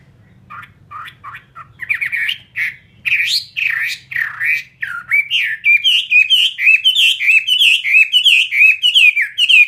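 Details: Caged fighting Chinese hwamei singing: a few soft scattered notes, then a loud, fast run of slurred, looping whistles repeated almost twice a second, rising and falling around a bright middle pitch.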